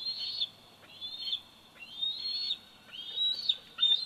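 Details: Young bald eagle, 104 days old, at the Big Bear Valley nest camera on 27 July 2019, gives a run of shrill, high whistles, each slurring briefly upward then levelling off, five in quick succession.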